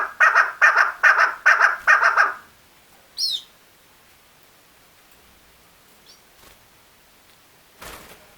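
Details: Female chukar partridge (chakor) calling: about seven loud, harsh chuk notes in a quick, even series over two seconds, then near silence with a brief faint squeak and a soft thump.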